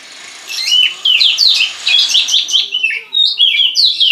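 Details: Imitating a bar-winged prinia, a kept white-rumped shama pours out rapid varied phrases, sweeping slurred whistles and chirps in quick succession, loud and dense, briefly pausing near the end, over faint room hiss.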